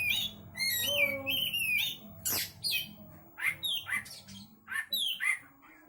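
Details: Oriental magpie-robin, kept as a songbird, singing without pause; varied clear whistled phrases, some sliding upward, mixed with sharp chips and one harsh burst, delivered in quick separate bursts.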